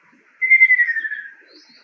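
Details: One trilled phrase from a male Ruddy kingfisher, a rapid rolling whistle that drops a little and fades out after roughly a second, followed by a faint high note.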